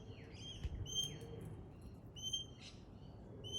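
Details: Pale-headed rosella whistling: thin, steady high notes alternating with quick downward-sliding chirps, over a low rumble of background noise.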